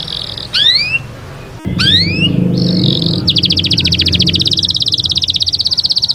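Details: Canary song opening with brief steady high tones and two rising whistled double notes, then a long rapid, even trill of high pulsed notes.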